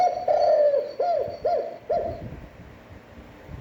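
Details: Standard spotted dove cooing, fairly long, played to stimulate decoy birds: a sustained low coo, then three short arched coos spaced about half a second apart, fading into low room noise.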